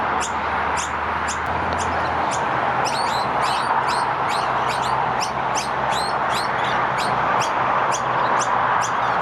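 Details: Begging from two young noisy miners fed by parents in early spring at Keppera, Brisbane, Australia, August 2023: sharp high-pitched chirps, sparse at first, then quick and steady at about two per second, over constant hiss.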